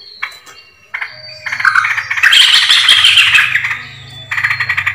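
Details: Yellow-vented bulbul call for luring birds: a few thin whistled notes, then a loud burst of excited, squawky chatter lasting about two seconds, fading before a final run of quick chirps, with a low hum beneath.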